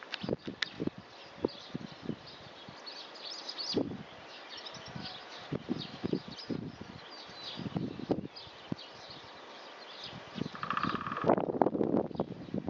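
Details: Distant great spotted woodpecker pecking at wood: sharp, irregular knocks spaced unevenly across the recording, faint bird twitters above, and a buzzing noise with rustling at the end.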